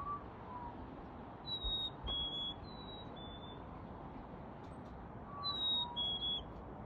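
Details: At 6 pm in a NW Calgary backyard on February 28, 2021, a black-capped chickadee repeats clean high whistled couplets, the second note a touch lower, in two groups separated by quiet hiss.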